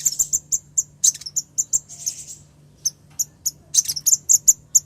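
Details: Female ruby-cheeked sunbird calling the male, used as a lure: sharp, very high chirps and short twittering bursts, repeated irregularly, some clustered in quick runs, over a faint steady low hum.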